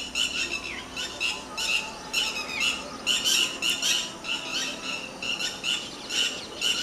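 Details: A red-wattled lapwing fighting with dogs gives loud, harsh, strident squawks in rapid bursts, several notes each second, high-pitched and insistent, with faint background hiss.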